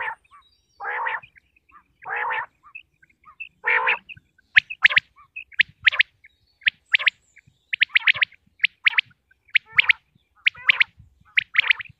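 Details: Common quail from Punjab, Pakistan: three low, rough, buzzy growls open the sequence, then a fast series of sharp, clipped whistled triplets repeats about once a second until the end.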